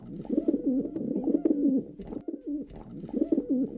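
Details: Male pigeon cooing without pause, a chain of soft, looping, guttural notes at a low pitch.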